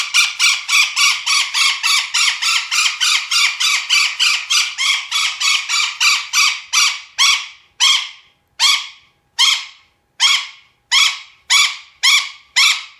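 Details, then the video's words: Golden parakeet screeching in a fast run of harsh, grating squawks that slows after about seven seconds to single calls spaced roughly a second apart. "Etwas für die Ohren vom Goldsittich"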